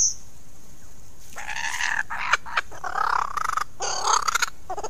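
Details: A male lyrebird, singing complex mimicry to attract females to admire his plumes, pours out harsh, raspy, crow-like phrases in quick varied bursts after a brief high whistle, each imitation changing in tone and rhythm.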